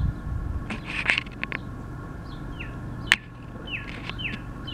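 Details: Male Northern cardinal singing his heart out in spring: a few sharp clicks and rustles, then three clear downslurred whistles in a quick series near the end, over a low steady hum.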